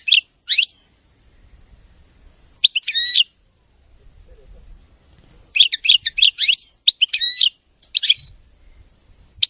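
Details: European goldfinch (maqnin) with a clean, error-free song: spaced clusters of high, tinkling chirps and twitters, some phrases swelling into quick strings of notes, with silent stretches between.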